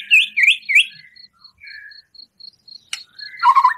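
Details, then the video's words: Busy white-rumped shama song meant to provoke another caged bird: three loud looping whistled notes, a quiet stretch of soft calls and steady high ticking, then a sharp click and a closing buzzy, tumbling phrase. "Murai Batu Gacor Full Isian Tembakan kasar, Sangat Ampuh Untuk Pancingan Emosi Murai"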